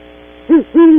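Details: Two deep great horned owl hoots, a short one then a longer drawn-out one, from a pair visiting a cavity at dawn at Audubon Starr Ranch, California, picked up by a nest camera with faint background hum.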